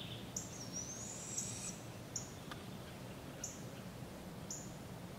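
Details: Young barred owl fed by its parents in a park in Polk County, Iowa, July 6, 2017: one long, breathy, rising screech, followed by several short, sharp chips and clicks.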